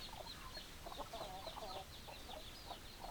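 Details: Several chickens clucking together in low, murmuring bursts that cluster in the middle. Steady high chirps sound above them.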